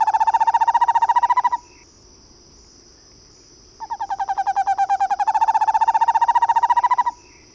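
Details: Eastern screech owl producing two long monotone trills of fast, evenly spaced pulses, the second rising slightly in pitch and growing louder, separated by a few seconds of quiet. A constant high-pitched buzz continues in the background.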